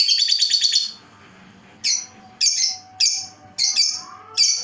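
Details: Lovebird giving a strange call: a rapid, shrill trill of sharp high chirps for about a second, then five loud, piercing chirp bursts spaced irregularly. A faint steady tone hums underneath.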